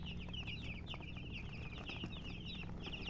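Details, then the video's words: Several colored chickens peep without pause, their high, short, sliding chirps tumbling over each other above a constant low background hum. "silly chicken chirping sounds with murgi hen color chicken"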